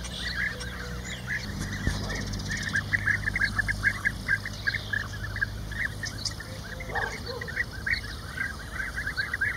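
European bee-eaters give a steady stream of short, rolling, liquid 'prruip' calls, several birds overlapping, over a low background rumble.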